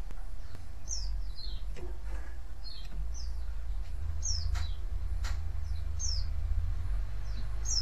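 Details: White-eye calls for drawing other white-eyes to answer: high descending chirps in twos, spaced about a second apart, with sharp clicks and a loud low hum throughout.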